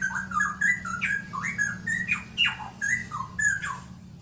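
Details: Straw-headed bulbul, known locally as cucakrowo, singing a rich, bubbling warble of liquid whistled phrases that swoop up and down, delivered in quick bursts about every half second, with a low steady hum beneath.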